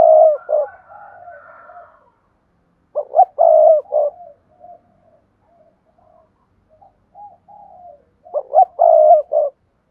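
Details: Spotted dove coo played to encourage other doves to call: three loud phrases of short notes and a long low coo, each a few seconds apart, with soft quiet coos between.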